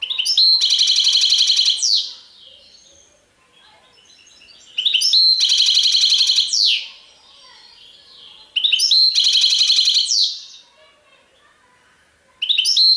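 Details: Goldfinch song in the Tiwawati style of the Serfati type: loud, sustained high buzzing trills lasting about two seconds, repeated every four seconds, each opening with quick chirps and ending in a falling slur.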